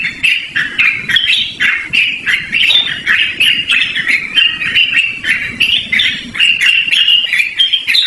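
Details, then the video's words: Yellow-vented bulbul in continuous, loud chattering song, a lively long-running performance used for luring or training birds: dense, rolling bubbly notes that waver in pitch without pause, with a soft rustling noise underneath. "BURUNG TRUCUKAN GACORR NGEROL DURASI PANJANG"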